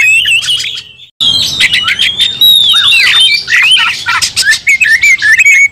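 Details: Oriental magpie-robins worked up into fighting aggression. After a brief gap, a loud torrent of sweet whistled slurs, trilled runs and scratchy harsh notes pours out, several voices overlapping.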